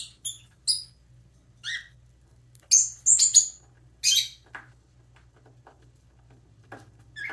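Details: Baby parrotlet chirping while preening: scattered short, high, thin chirps in irregular clusters, some doubled, over a steady low indoor hum.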